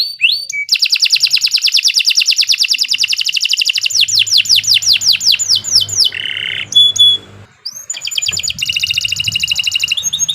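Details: Canary song offered as long, lively master song for training young birds: rapid trills of repeated notes, then a run of falling whistled sweeps, a brief buzzy burst and a fast rattling trill resuming.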